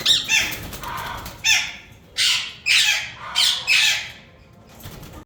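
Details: Breeder pair of yellow ringneck parakeets calling with loud grating screeches, six short rasping bursts in about five seconds, some coming in quick pairs, with faint background rustle.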